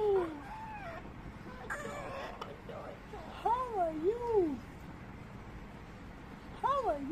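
A young African grey parrot gives whiny, arching, speech-like warbles in short bursts, between a person's voice repeatedly asking simple questions.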